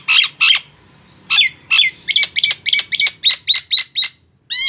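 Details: Nias hill myna opens with two harsh notes, pauses, then delivers a brisk, evenly spaced series of about a dozen sharp, downward-hooked whistles. The recording is used to draw songs from mute mynas.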